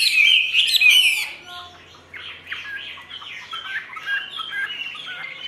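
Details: Chinese hwamei held in a cage, song described as "ngũ trường": a loud burst of bright whistles at the start, then quieter wandering warbled phrases continuing to the end.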